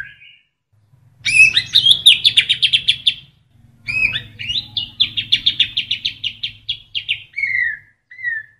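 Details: Kapas tembak-filled shama song: two long bursts of rapid, rattling high chirps, each opened by a sliding whistle, ending in descending whistled notes.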